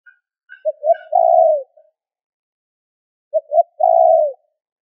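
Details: Spotted dove used as a lure, giving two three-part phrases of short hoots ending in a long falling coo, while faint, brief, higher chirps from another bird sound near the start.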